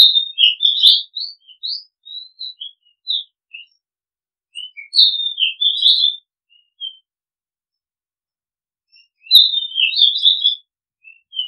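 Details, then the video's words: Oriental magpie-robin singing in three bursts about four to five seconds apart, each a jumble of clear, varied whistled notes and short chirps sliding up and down, with quiet pauses between phrases. "Oriental Magpie Robin Sound Long play เสียงร้อง นกกางเขนบ้าน"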